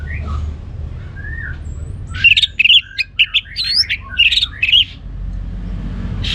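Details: Kept orange-headed thrush in northern Bali, Singaraja, pouring out a dense run of short whistled and chattering notes, fast and varied, after soft faint notes, with low hum beneath.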